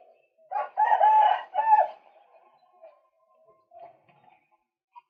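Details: Male white-breasted waterhen used as a lure, calling in two rough, loud croaking bursts that tail into faint, scattered clucking notes.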